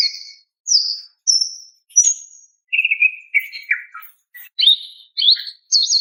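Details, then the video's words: Female greater green leafbird calling for a male: clear high whistles, then short lower chirps, ending in rising slurred whistles repeated roughly every half second. "SUARA BETINA MEMANGGIL JANTAN"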